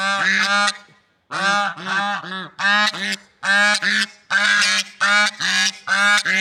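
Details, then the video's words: Swans in nature give loud, nasal, trumpet-like honks, each rich in overtones, delivered in quick runs of two or three with short gaps, around a dozen calls in all after a brief pause near the start; no other sounds. "Funny Sounds and Noises of Lovebird Swans in Nature"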